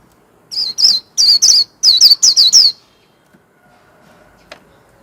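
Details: Warbling white-eye, a kept songbird, singing in the líu hót style: a quick run of about eight high, sweet, wavering whistled notes in tight pairs and triplets over two seconds, then near silence with one faint click.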